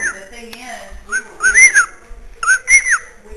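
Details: A pet bird kept upstairs in a house in Illinois whistles repeatedly in clear, pure tones that rise and fall in smooth arching slides. Softer low murmurs sound between the louder whistles.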